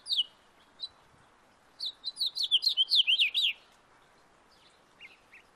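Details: A backyard house finch gives a short burst of song: a few scattered chirps, then a quick run of tumbling, slurred notes lasting under two seconds, followed by faint single chips.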